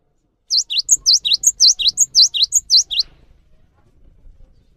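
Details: Cinereous tit song used to prompt other birds into singing: a fast run of about twelve high, sharp V-shaped notes, alternating a thin upper whistle with a lower dipping note, lasting roughly two and a half seconds, then quiet.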